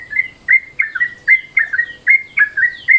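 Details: Midday-style Yellow-vented Bulbul calls used as a lure: loud, clear chirps that rise then fall, delivered in pairs and triplets with short pauses between.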